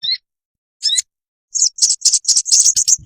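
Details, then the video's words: Ruby-cheeked sunbird (sogon) training song for caged birds, meant to make them sing steadily and flutter their wings. High, thin chirps, then a run of rapid, dense, sharp notes that quickens toward the end. "Dalam hitungan menit burung sogonmu ikutan gacor dan ngeleper"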